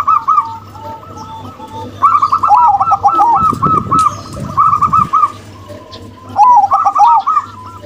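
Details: Zebra doves, a local female and a crossbred male: fast strings of short bubbling coos broken by lower warbled notes, two main bursts with a quieter gap; low rumbling handling noise in the middle.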